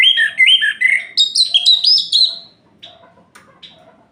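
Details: Orange-headed thrush at night, singing to stir up other males: a fast series of rich warbled phrases that climb higher in pitch and then break off, followed by faint scattered chips.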